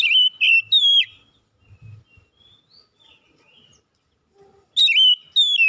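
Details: Oriental magpie-robin singing in the morning: loud whistled phrases gliding down and up around the start, a near-silent gap of several seconds with faint low rumbles, then a fresh burst of bright, slurred whistles.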